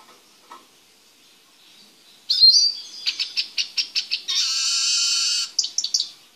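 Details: Eurasian siskin male in a small cage, being readied for mating with his female: a quiet start, then a run of high pulsed chirps leading into a long, harsh, drawn-out wheeze, closing with a few sharp notes.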